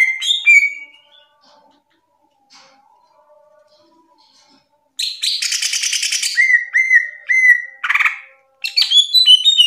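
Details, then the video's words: Top national greater green leafbird masteran: a short whistled phrase, long quiet gap, then a dense buzzy rattle, repeated downslurred whistles about every half second, a harsh note and more whistling. "Masteran Top 1 Nasional Cucak Ijo"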